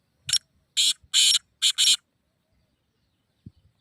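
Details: Black francolin call meant to excite other francolins into calling: a short harsh note, then four longer rasping, broadband grating notes packed into about two seconds, followed by near silence and a faint low thump.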